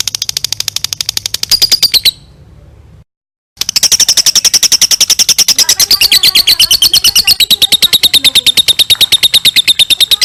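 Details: Long ngekek trill from a lovebird, used as a master recording to teach other birds: fast rattling high notes that drop into a brief silence, then resume as an even denser, machine-gun-like chatter.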